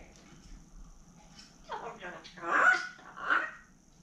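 A grey parrot utters three short, raspy, speech-like phrases, the last two loudest and a second apart, against a quiet room background.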